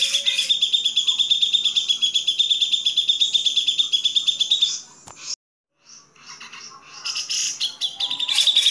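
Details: Grey-cheeked bulbul master recording: a fast, high, evenly pulsed trill for nearly five seconds, a short pause, then varied harsh chattering bursts and the trill returning.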